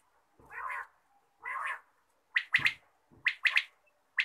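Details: Morning quail call: two soft, hoarse low notes, then sharp, clipped triple bursts of higher whistled notes, repeated twice in a quiet setting.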